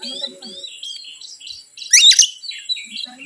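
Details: Oriental magpie-robin provocation song: quiet varied warbling and slurred whistles, then one loud harsh chattering burst, followed by softer twittering notes.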